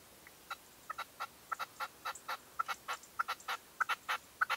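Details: Red-legged partridge used as a hunting decoy, calling at a dawn post in 2023: a fast run of short, sharp chattering notes, roughly twenty in under five seconds, growing louder and closer together toward the end.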